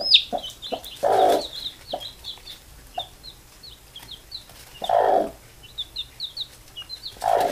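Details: Mother hen calling her baby chicks to sleep: low, short clucks spaced a few seconds apart, over a steady stream of thin, high chick peeps repeated rapidly throughout.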